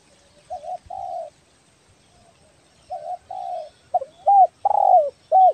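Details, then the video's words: Vigorously calling Kepri spotted dove of the belah dada type, recorded for luring: soft paired coos, then a louder run of arched, hooked hoots near the end. "SUARA BURUNG TEKUKUR BELAH DADA GACOR BAGUS BUAT PIKAT"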